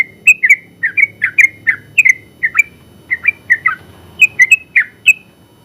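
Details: Champion contest Sooty-headed bulbul, a caged trucukan with long rapid-fire ropel singing used as a tutor, gives a fast series of bubbly, slurred whistled notes, about three per second, with faint low background rumble.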